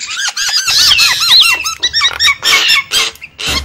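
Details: Javan myna lure call used to attract wild birds: a rapid series of squeaky, whistled notes, many bent up and down, crowded into short bursts with brief gaps, with a faint low hum underneath.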